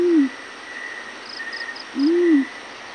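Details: Morning call of a yellow-breasted fruit dove, made of low, mellow hoots, each swelling and fading. Two come about two seconds apart, with quiet rhythmic insect pulses and a thin constant tone behind them.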